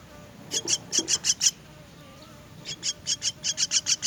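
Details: Two bursts of rasping, buzzy begging calls from myna chicks being fed, each a quick string of six to eight harsh notes separated by a short quiet spell with a soft whistle.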